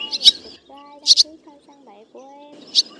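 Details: Flock call of black white-bellied swallows, male and female, summoning birds to roost, used to lure them into nets in August 2024: three sharp, high chirp bursts, some doubled, with soft low whistles from other birds between.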